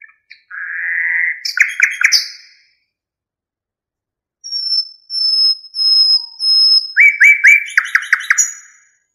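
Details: Nightingale song made of varied phrases: a drawn-out whistle, then sharp chirps. After a pause comes a series of thin high whistled notes, then a fast rattling trill. The recording is clean.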